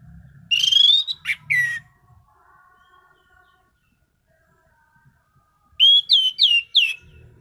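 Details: Caged orange-headed thrush singing loudly: a rising whistled phrase with sharp chips, a long pause, then a second burst of four quick slurred whistles; faint low thumps in the background.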